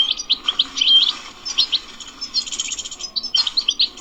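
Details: ["'Btbta' song of a wild European goldfinch: dense, liquid twittering with sharp chips and a few nasal, buzzy rattles, running nearly unbroken across the phrase."]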